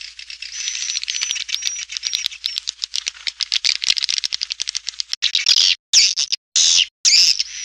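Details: Swiftlet calling sound for luring birds to a busy swiftlet house: a fast dry rattle of clicks with faint thin whistles for about five seconds, then loud buzzy chattering bursts separated by sharp gaps.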